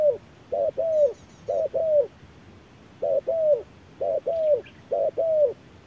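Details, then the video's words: Wild spotted dove calling against an electronic decoy at harsh noon. A string of two-part coos, a short lead note and a longer sliding note, in uneven spacing. Faint high bird twitters are heard early in the sequence. "MỒI MÁY DẬP ĐẤU BỔI GIỮA TRƯA NẮNG GẮT BỔI HÁ CẢ MỎ"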